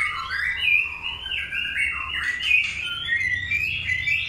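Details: Long-tailed white-rumped shama during a breeding pairing: continuous rich, fluty warbling of looping whistles and trills with no gaps, steady and loud throughout.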